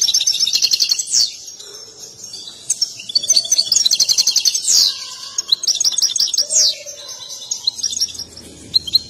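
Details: A European goldfinch, excited and dancing, sings for mating. It gives quick twittering runs with downslurred notes and rattling trills, broken by brief soft lower whistles, then more sparse chirps.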